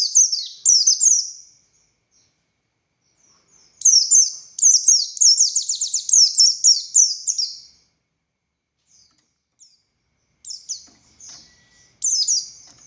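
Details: Buxtoni Oriental white-eye singing ngalas song as a master song for other white-eyes: short high twittering bursts, a long rapid run of falling whistles, then scattered soft notes and a final sharp phrase.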